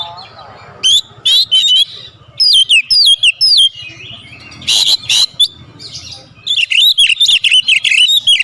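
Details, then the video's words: Oriental magpie-robin (kacer), full isian song with calling tones: separate bright, wavering whistles, a harsh rasping burst, then a fast, dense run of chirping notes. "Masteran Burung Kacer Full Isian Dengan Nada Panggilan 100% Nyaut"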